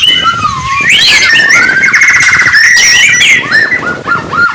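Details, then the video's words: White-rumped shama in morning song, used to rouse rival birds: a steady flowing sequence of clear whistles gliding up and down, with quick rapid-fire notes and a few high sweeping squeaks over a faint background hiss. "kicauan murai batu pagi hari cocok buat naikan emosi lawan"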